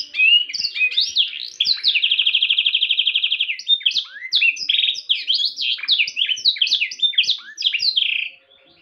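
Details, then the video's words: Canary in lively 'cengkok mewah' song: opening sweeps lead into a long, even rattling trill lasting over a second, then fast swooping chirped phrases and short trills, loud and clear against silence. "kenari gacor cengkok mewah"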